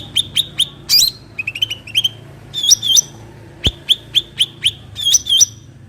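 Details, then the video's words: Cucak ranting bulbul singing in a natural setting, a lively string of high chirps and slurred whistles with one brief sharp click partway through. "cucak ranting suara alam"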